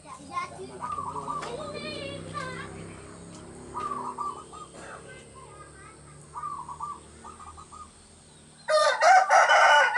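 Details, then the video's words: Zebra dove of local stock, used as a decoy for catching doves, sings in a countryside village; several brief rippling coo phrases of rapid pulses, faint chatter in the background and a sudden loud, noisy burst at the end. "PERKUTUT LOKAL GACOR UNTUK PANCINGAN SUARA PIKAT"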